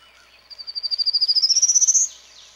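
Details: Male Prairie Warbler advertising on territory in Ontario on a Sunday morning: a clear ascending string of some twenty rapid, buzzy notes swelling in volume as they climb, ending abruptly, with soft insect sounds in the background.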